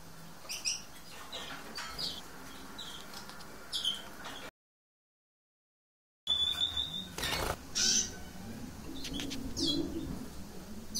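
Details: A green-backed lesser goldfinch (subspecies hesperophila) gives scattered high, thin chirps and twittering notes, broken by a brief silent gap, with some soft clicks and faint background rustle.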